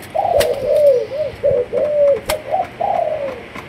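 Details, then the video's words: Soft, low coos from a Malaysian-line spotted dove arrive as a rhythmic series of falling hoots, punctuated by a few sharp clicks. "Cu Gáy Malaysia Nhiều Dòng"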